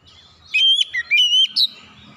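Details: Oriental magpie-robin song intended to lure other birds into singing: a short, brisk phrase of four or five bright whistles, each swooping up or down in pitch, over faint background noise.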